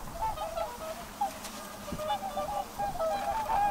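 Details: A quieter group of whooper swans gives scattered nasal honks, some rising slightly, with a soft hiss behind them.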